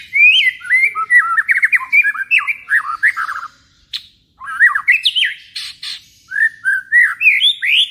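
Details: A white-rumped shama sings a rich, rapid run of varied whistles and harsh chattering notes, rising and falling between mid and high pitches in bursts with brief pauses; a lure recording meant to provoke shamas into emotion and song.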